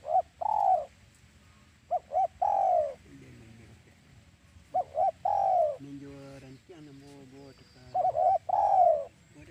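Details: Spotted dove trapping-lure call: double notes and long falling coos repeated, interrupted by lower, harmonic-rich humming sounds between phrases.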